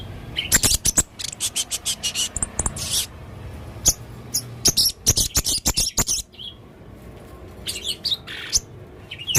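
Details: Male blue-crowned hanging parrot calling busily with odd sounds: dense runs of shrill, very high clicks and chirps, irregularly spaced, with short pauses and a few thin whistled notes.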